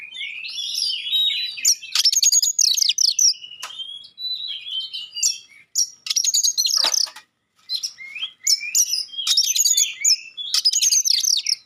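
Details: Oriental magpie-robin delivering sharp 'tembakan' notes and clear whistles that set other magpie-robins responding: energetic high trills and chattering phrases in repeated bursts, with one short silent gap, clean background.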